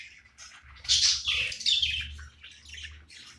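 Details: Pet budgerigar at play, giving a short burst of scratchy, high chirps that swell into a louder warbled squeak near the middle, then fade into softer broken twitters, with a low indoor hum underneath.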